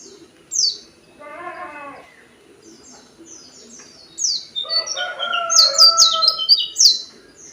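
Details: Oriental white-eye in full song, in the short-burst style called tembakan pendek: shrill, high descending whistled notes in quick runs, with a lower warbling burst early on and a busy, overlapping high flourish in the second half.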